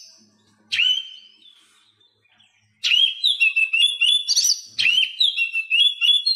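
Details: Oriental magpie-robin song played to prompt mute caged birds into singing; a brief whistled note, a pause, then a long run of bright rising and falling whistles mixed with quick chirps.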